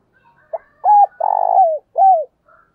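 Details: Decoy spotted dove gives a calling coo phrase: a short soft note, a steady hooted coo, a long vibrating rolled note that drops in pitch, then a falling closing coo. Faint murmuring sounds in the background.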